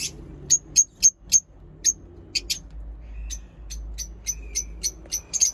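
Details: Lovebird chirping: crisp, very high single chirps repeated several times a second, briefly joined by a thin steady whistle, in a quiet indoor setting.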